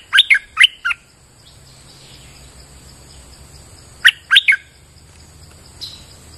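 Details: Bulbul in full song as a lure recording on a rainy day: a burst of three bright, bubbling chirped notes, a pause of about three seconds, then another matching three-note burst; faint distant bird calls behind.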